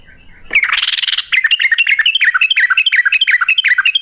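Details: Yellow-vented bulbul singing a long rapid song, used to lure other bulbuls into song. It opens with a harsh, noisy burst, then breaks into quick chattering whistled notes that rise and fall, about three each second.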